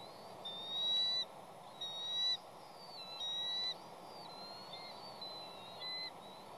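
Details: Bald eagle at a West End nest on Catalina Island, part of a restoration project, calling as two chicks wait for food. High, thin squealing whistles come in short bursts over background hiss.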